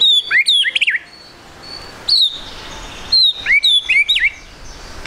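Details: White-rumped shama giving high trotol song, used as a lure so birds sing quickly: bursts of sharp, high whistled zigzags and clicks separated by short pauses.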